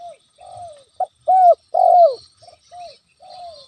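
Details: Spotted dove, a lure recording meant to provoke a rival into responding: mellow coos, falling and slurred, in short groups of varied length, some louder and rising at the start, with faint high background noise.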